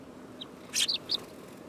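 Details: Eurasian tree sparrow in autumn, 18 September 2013: a tiny faint tick, then a loud burst of three quick, high, sharp chirps within half a second over steady low background hiss.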